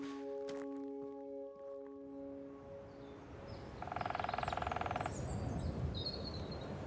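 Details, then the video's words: A woodpecker drums in one rapid, even burst of just over a second in the UK, sounding very loud and close though possibly far away, as if amplified by a dip in the ground; thin bird chirps and outdoor background follow. "That woodpecker could be really far away but it just sounds so close how loud it is."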